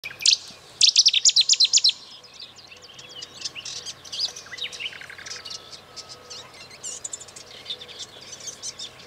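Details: European goldfinch recorded at Eastriver near Skala Kaloni, Lesbos, Greece, in May: a loud burst of rapid, high twittering notes in the first two seconds, followed by softer, varied liquid trills and chirps from more distant birds.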